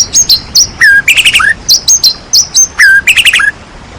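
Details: White-rumped shama song used to provoke idle shamas into singing: high piercing whistles alternate with lower slurred notes and rapid chattering trills, in varied phrases throughout.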